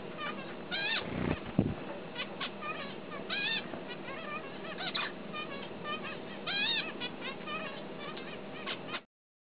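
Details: Zebra finches, said to be in Australia, give short, nasal, toy-trumpet calls and squeaky notes, repeated in quick bursts.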